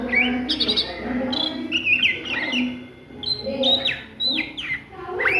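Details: At midday an Oriental magpie-robin delivers ngriwik song in bursts of bright whistles and downslurred chips, separated by brief pauses, with a low droning hum underneath.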